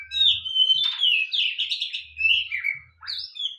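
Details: White-rumped shama (kacer), a caged bird sunbathing to keep healthy and in full song, pours out a fast jumble of sweet whistles, buzzy trills and sharp scratchy notes, with soft low thuds beneath.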